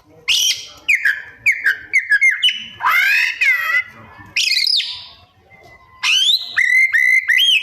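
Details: Kacer, the white-rumped shama, in a rich mimicking song: descending whistled notes, harsh raspy phrases and ringing rising whistles in fast alternation.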